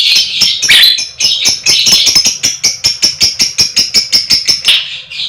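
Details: Female fighter lovebird calling to prompt other lovebirds to sing: a fast, dense chatter of buzzy notes that runs into a rapid, even series of short raspy pulses, several per second, with no pause.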